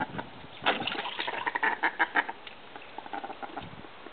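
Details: Australian call ducks (bantam mallards) flirting and mating give a quick burst of harsh, nasal quacks over two seconds, then softer scattered chatter trails off.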